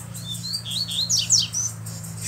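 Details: Black double-collared seedeater with a bluish-white bill singing hard: high whistles climbing through brief slurs into bright steep sweeps, over a low steady hum.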